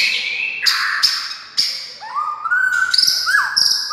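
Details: Lively white-rumped shama song, played to provoke other shamas to sing: repeated harsh bursts over a high tone, then smooth rising and falling whistles that run into rapid chattering notes.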